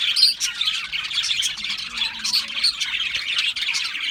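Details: Budgerigars calling in a group: grating squawks mixed with quick chirps and warbled phrases, forming continuous chatter at fairly even loudness.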